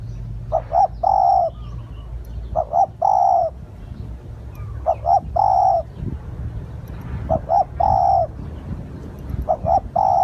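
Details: Spotted dove calling to lure others: rhythmic phrases of two short coos then a prolonged soft hoot, repeated about every two seconds, with low rumble and a faint high whine.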